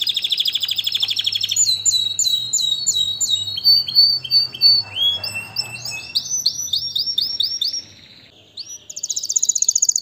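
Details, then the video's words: Canary song in a string of varied phrases: rapid high rolled trills, then a series of repeated sweeping notes about twice a second, more rolls and a brief pause before a fast high trill resumes. "اجمل غناء لطائر الكناري تغريد الكناري"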